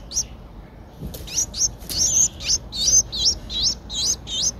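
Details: Streak-eared Bulbul nestling aged ten days in Ubon Ratchathani, Thailand, recorded 12 April 2023: a loud run of about a dozen high, squeaky, twisting chirps, rising and falling, repeated rapidly over four seconds against quiet surroundings.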